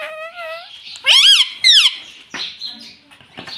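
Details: Rose-ringed parakeet kept as a pet, mimicking the words "mummy papa": a slurred rising-and-falling phrase, then two loud bending shrill syllables, followed by faint rustling in a small room.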